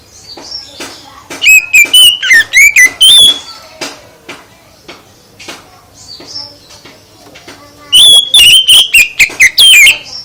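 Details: Oriental magpie-robin (kacer) song used to goad other birds into responding: two loud bursts of rapid whistled, chattering notes, each about two seconds, separated by quieter thin whistles and clicks.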